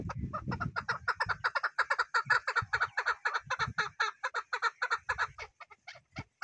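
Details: Chukar partridge delivering a long fast chatter of clipped clucking notes that slows and thins toward the end, with low rumbling noise at the start.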